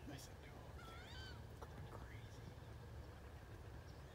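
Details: In 2018, wood ducks produce one drawn-out, rising-then-falling whistle with rich overtones about one second in, followed by a few faint clicks over a low hum.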